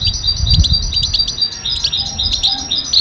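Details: Goldfinch song: steady high twittering and tinkling notes running throughout, over a noticeable low background rumble.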